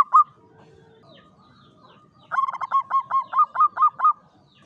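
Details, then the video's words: Caged local Javanese zebra dove in a classic Mataraman-style cage, singing the klowongan song with a clear voice: one short cooing note, a quiet pause, then a quick run of about nine bubbling, even coos, with faint low background hum. "SUARA PERKUTUT JAWA KLOWONGAN"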